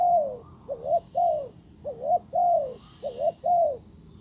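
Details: Decoy spotted dove cooing to attract a wild one, which turns away; mellow low notes begin with a long falling coo, then alternate quick double notes and drawn coos, against a faint high hum.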